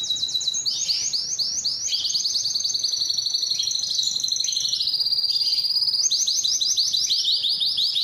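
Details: Canary singing a continuous high song of rapid trilled tours, each lasting about a second, with repeated buzzy swooping syllables that shift in pitch between phrases and stay loud throughout.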